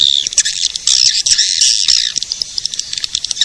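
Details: Swiftlet attracting call of the edible-nest swiftlet: an intense shrill twittering rush with scattered clicks, easing into sparse sharp chirps and ticks in the second half.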